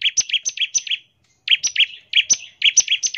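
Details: Bar-winged prinia song used to coax prinias into singing, made of quick alternating high and slightly lower chirps, repeated in short phrases under a second long with brief pauses.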